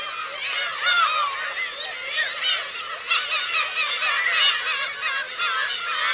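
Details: Black-tailed gulls, parents with chicks, on Kurosaki coast, Teuri Island, Hokkaido, Japan, 17 June 2021. Many overlapping mewing, wavering calls from a crowded colony, rising and falling continuously throughout.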